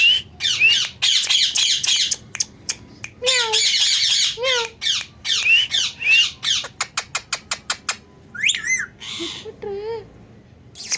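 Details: Talking and dancing pet parrot producing a varied string of harsh squawks, short bending whistles, a rapid series of sharp clicks and a couple of wavering whistled notes, in an indoor setting.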